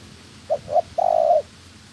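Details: Trapping decoy spotted dove in training: two short coos, then a sustained coo with a fast rattling pulse, holding steady before ending abruptly.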